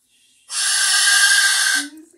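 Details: A pet cockatoo making late-night noises gives one harsh, breathy screech lasting over a second, rough and hissing across a wide range, followed by a brief low human voice.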